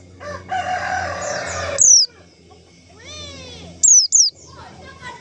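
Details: Lure call for trapping white-eyes: one then two high, thin, downslurred notes, heard over a noisy background with a lower, drawn-out call from another bird.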